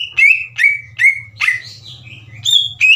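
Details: Green leafbird singing hard to provoke others into answering: four sliding whistles about every half second, a buzzy blurred note, then higher clear whistles, with low humming underneath.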